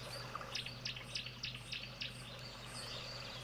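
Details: Green-backed Camaroptera calling in the background at a waterhole as rain starts to fall, 6 November 2022: a run of sharp, high clicking notes, roughly three per second, over a steady low hum and soft background noise.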